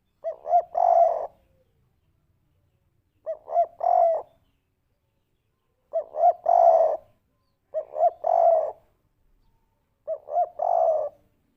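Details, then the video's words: Derkuku (spotted dove) calling in the kuk 3 pattern played as a lure: two short rising coos and a longer throaty one, the phrase repeated five times about every two and a half seconds in silence. "pancingan burung derkuku kuk 3 putar sebentar saja langsung nyaut"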